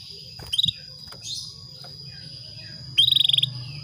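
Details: Atlantic canary hen calling a male to stir breeding: a short pulsed burst, then after a pause a longer rapid trill of a dozen clipped notes, with a constant high-pitched whine and soft background noise.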